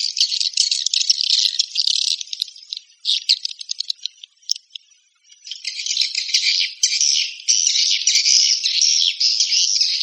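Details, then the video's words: Swiftlet call, the walet panggil type: rapid, dry, buzzy chattering twitters in tight rattling bursts, broken by a stretch of scattered clicks and near-silence midway before the dense chatter resumes strongly. "Suara Walet Panggil"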